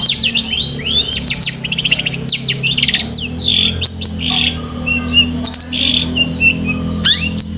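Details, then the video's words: Long-tailed shrike song recorded for training pet shrikes: a lively, varied stream of high whistles, sweeping slurs and rapid chip notes, with a steady low hum beneath. "BURUNG CENDET GACOR ISIAN SEKEBUN"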